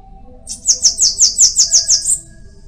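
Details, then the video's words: Bananaquit: a brief phrase of about eight very high, buzzy notes in quick, even succession, ending on a slightly higher tone. "Cambacica| Sibite|tietê|mariquita|chupa-mel|til |sebinho |caga-sebo|chupa-caju| guriatã canto"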